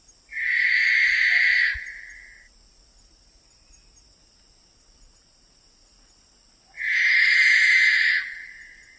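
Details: Two long, drawn-out rasping screeches from a barn owl, each about two seconds, harsh and hissing, spaced roughly six seconds apart with quiet between.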